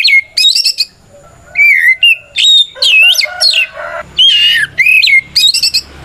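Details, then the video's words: Provoking song of a white-rumped shama used as a lure for other shamas; mixed whistled loops, trills and raspy chatter in quick succession, separated by brief pauses. "Suara Burung kacer gacor NGEPLONG tarung ini paling ampuh buat PANCINGAN KACER agar EMOSI Nyaut"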